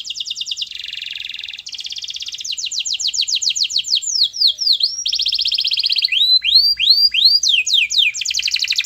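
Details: Canary song meant to coax silent canaries into singing: continuous rapid trills changing tempo, buzzy rattles, then series of rising and falling whistled sweeps repeated about four per second.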